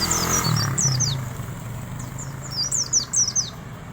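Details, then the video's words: Wild Oriental white-eye delivering a soft 'riwik' song of shrill downslurred whistles, loosely repeated and thickening toward the end, against a low droning background. "kicau pleci ngalas bablas riwik halus"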